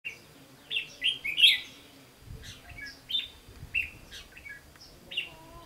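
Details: Red-whiskered bulbul fighting song at a trap with a lure bird, recorded 15 June 2016: loud, bright, slurred whistled notes in quick bursts, several phrases over a few seconds, with faint low rustling.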